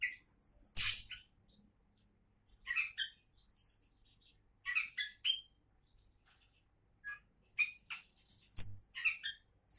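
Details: Oriental magpie-robin, local name kacer, a hopeful contest winner, delivering clustered groups of quick whistled and slurred notes, some very high and clear, with occasional harsh bursts and gaps of quiet between phrases.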